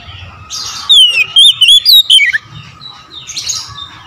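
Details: Morning song of an Oriental magpie-robin: one bright burst of about five rapid whistled notes sliding up and down, lasting about a second and a half, then a quiet hum.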